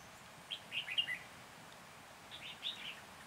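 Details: Red-whiskered bulbul used as a decoy for trapping at Lăng Xăng, Hòa Bình, 14 January 2021: two short, bright warbled phrases about two seconds apart over a quiet, steady background hiss.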